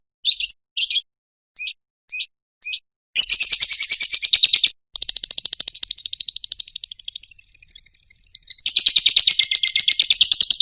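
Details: Lovebird ngekek, used as a lure and tutor recording for other lovebirds. Five short separate chirps open, then long fast rattling trills that run on with brief breaks, steady and high.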